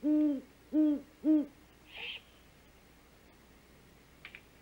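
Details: Nest-camera recording of a female great horned owl at dawn, 5:41 am, 3 March 2018, making the food call as the male hunts; three deep, evenly spaced hoots about half a second apart, then near silence with a faint click.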